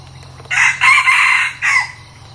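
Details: A red junglefowl kept as a decoy for luring wild birds crows once, loud and close. The crow is broken into three hoarse parts: a short burst, a longer strained middle and a brief falling end. A faint hum sits underneath.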